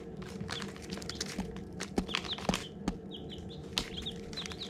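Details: Baby chicks hatching: scattered taps and knocks at first, then a run of high, arched, falling peeps from several chicks in the second half, over low hum.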